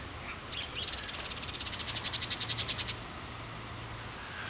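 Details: Crested caracara rattle: a sharp opening note, then a rapid, even train of dry clicking pulses lasting about two seconds before stopping suddenly, with a faint low hum behind.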